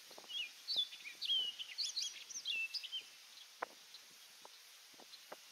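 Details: Orchard oriole singing at Donnelley WMA in coastal South Carolina: a fast, jumbled run of bright whistled and slurred notes for about three seconds, followed by a few faint clicks.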